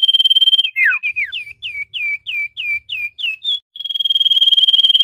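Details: Common iora lure sound for trapping wild birds: a fast pulsing high trill, about ten crisp downslurred whistles spaced evenly several per second, then the steady pulsed trill resumes.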